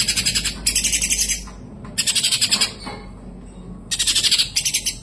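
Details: Kapas tembak, a white-eye, giving a clear, long song: dense bursts of high rapid chattering twitters, each about half a second to a second long and separated by short pauses, over a faint low hum.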